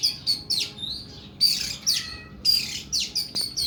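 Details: Oriental magpie-robin (kacer) singing harsh 'nembak' phrases: loud, scratchy, high bursts repeated roughly every half second, with thin whistled notes between.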